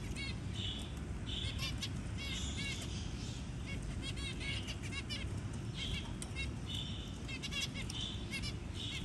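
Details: Parent zebra finch feeding its newly hatched chick; repeated buzzy nasal notes and runs of quick harmonic chirps in several bouts, steady low hum behind.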